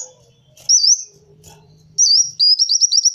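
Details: Kolibri wulung (sunbird), recording used as a lure for the species: two high, thin wavering whistles around a faint low hum, the second running into a quick series of looping trilled notes.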